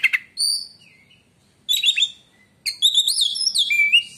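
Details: White-rumped shama song claimed to make other shamas fall silent: high whistles and a scratchy burst, then a long rising and falling warbled phrase ending in a clear whistle.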